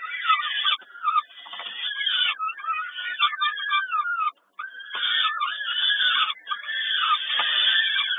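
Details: Peregrine falcons begging during feeding at Kawęczyn, recorded 10.05.22: strained, harmonic screeching cries pile over one another, bending up and down, broken by a short silence near the middle before the chorus resumes.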